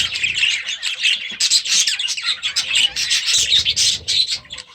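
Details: Young budgerigars hatched last year, newly released into a new aviary at the start of the season; dense overlapping chirps and scratchy squawks from several birds, continuous and busy throughout.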